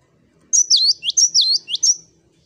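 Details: Loud "wucit wucit" song of a cinereous tit (gelatik batu), singing vigorously: five ringing two-part whistles, each sliding down and then up, repeated rhythmically in a tight phrase of under two seconds.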